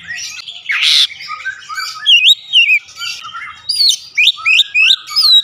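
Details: Kacer, the Oriental magpie-robin, in fast lively song used to prompt other birds to sing. A short harsh burst opens, then sweeping whistles and sharp chirps follow in irregular rapid phrases, with nearly silent surroundings.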